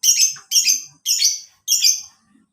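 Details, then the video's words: Lovebird, a caged bird's song played to train other birds, giving four harsh, buzzy chattering bursts, each about half a second long, in quick succession. "PANCINGAN MASTERAN SUARA LOVEBIRD"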